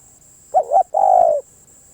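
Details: A spotted dove's single phrase: two quick low notes, then a long, even, hollow coo that slides slightly downward at the end, with a faint high whine in the background.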